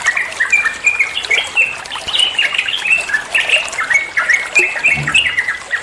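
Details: Trucuan, the yellow-vented bulbul, singing a training recording meant to make other birds reply: busy run of clear warbled notes and short slurred whistles, closely spaced, with brief squeaky chirps and background hiss.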